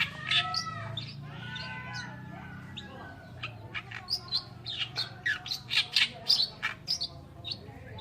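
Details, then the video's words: Oriental reed warbler song: a loud, harsh jumble of grating squawks, chirps and croaky notes, delivered in quick repeated bursts with no pause. "BURUNG MASTERAN KERAKBASI ALIS PUTIH ( Oriental Reed Warbler )"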